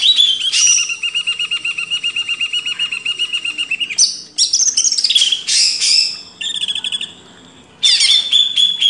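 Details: Greater green leafbird as a cage bird, singing a steady rapid chatter of repeated notes, around four per second, followed by bright whistles, buzzy rising phrases and a trill, used to train other cage birds.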